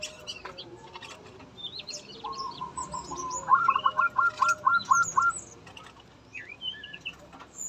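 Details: Male Yellow-rumped flycatcher singing actively in a breeding aviary, tame, opening its beak and flicking its tail; a low buzzy note then a fast rattling trill of repeated notes, over scattered high chirps from other caged birds.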